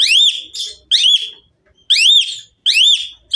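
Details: Asian pied myna in vigorous full song, giving loud arched whistled notes with bright overtones, each rising then falling, in bursts roughly every second, with brief pauses between phrases.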